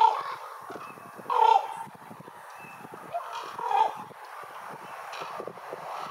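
A raven gives three hoarse, throaty croaks, spaced unevenly over six seconds, with the middle one loudest, above a steady rustling background.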